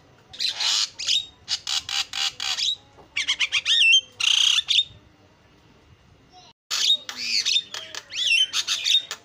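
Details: Javan myna delivering 'isian' filler song as a lure: bursts of scratchy chatter and ringing whistles in quick groups, a brief silence, then renewed squawking with looping notes.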